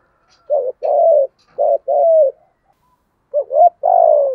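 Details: Cooing lure spotted dove with a deep thổ-style voice, used to provoke wild doves; two full phrases, each of two or three short hoots and then a long drawn-out, gently falling coo, with a pause between.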